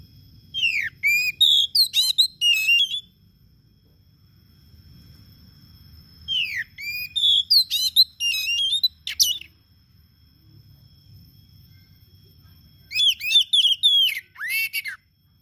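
An Oriental magpie-robin sings rich bursts of varied whistles and sharp chirps, separated by short pauses.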